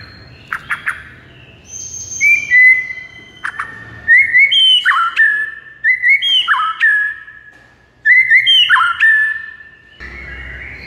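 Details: Song of a white-rumped shama, used to make a mute bird sing: clear whistled phrases stepping down in pitch, repeated three times in a row after a few sharp chips, quiet background.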